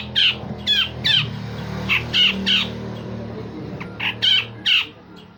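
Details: Grey-cheeked bulbul in full song, used as a vocal tutor for other songbirds, giving rough rasping phrases and sharp shots: harsh buzzy notes in loose bursts, several close together, then a pause before more. A low hum runs underneath.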